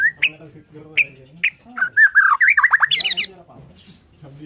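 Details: Bornean white-rumped shama singing in the morning: spaced sharp chip notes, then a fluid warbled phrase of slurred whistles and a buzzy high burst.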